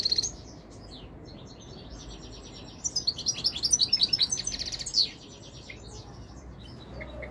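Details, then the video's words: Goldfinch song: a brief high chirp, a quiet stretch, then a sustained two-second burst of fast, rippling, silvery twitters and trills, ending in soft scattered notes. "تغريد طائر الحسون الملكي 2021 / jilguero chant chardonneret"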